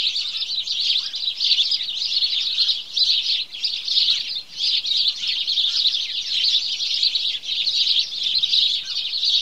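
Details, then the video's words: House sparrows in a morning chorus, many birds chirping at once in a continuous, busy chatter of short high tweets, swelling and dipping slightly without any real pause. "Morning Chorus Of House Sparrow"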